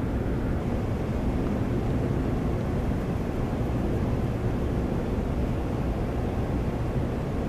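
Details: Loud constant outdoor rumble of wind or distant engines, steady from start to end, without animal sounds.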